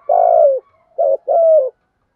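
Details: Spotted dove calling as a decoy to lure wild birds; three hollow coos, a long slightly falling note, a short one, then another long falling note, clean and close.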